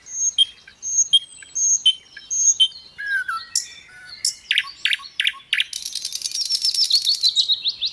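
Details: Little pied flycatcher in lively gacor song with a rich fill-in style: repeated high two-part whistles, then sharp sliding chips, ending in a fast dense rattling trill with whistled notes over it.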